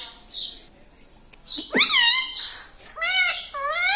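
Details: Talking parrot at home voicing strong, harmonic, word-like calls that dip then rise, followed by two shorter wavering syllables in quick succession.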